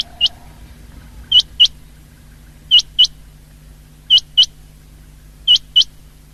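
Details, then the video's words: Common quail from a 19 February 2024 recording: crisp paired notes, each pair of quick high upward flicks, repeated at an even pace about every one and a half seconds against a quiet low hum. "Best common quail sound of the year 2023"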